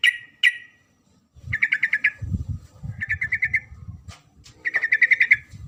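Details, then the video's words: A female sooty-headed bulbul calls the male with repeated rapid chattering bursts of five to seven notes, each about half a second long, over low rumbling background noise. "suara panggilan trucuk betina memanggil jantan"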